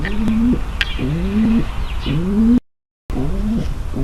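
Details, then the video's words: Female pigeon giving a mating call meant to prepare the male for mating: short, low, rising coos repeated roughly once a second, broken by a brief silence, with faint higher chirps in the background. "صوت نداء انثى الحمام للتزاوج - صوت لتجهيز ذكر الحمام للتزاوج"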